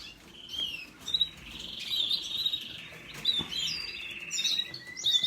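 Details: Canary song that starts with scattered high chirps, then runs into a long, dense trilled passage before breaking into separate bright notes.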